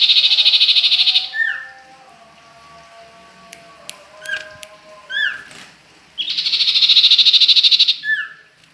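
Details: Common iora (cipoh, also called sirtu) from Ajibarang: fast buzzy high trills at start and end, separated by short sharp downslurred whistles and clicks, over a steady low electronic hum.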